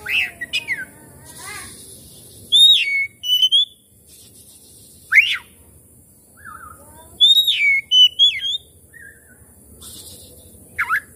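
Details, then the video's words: Lure recording of Oriental magpie-robin song meant to set a bird singing and fanning its tail: bursts of sharp, steeply sweeping whistles and short chattering phrases, separated by pauses of one to three seconds, against a quiet background. "pancingan kacer langsung on buka ekor"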